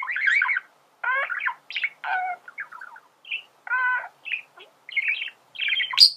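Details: Male budgerigar song used for training birds to sing: a lively string of short chirps, nasal squeaks and clicking notes, each lasting under a second, ending in a sharp high squeal.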